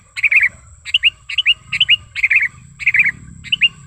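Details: Bright chattering notes of a sooty-headed bulbul, used as a lure and tutor call: quick clusters of two or three rolling, downslurred whistles, repeated several times within a few seconds.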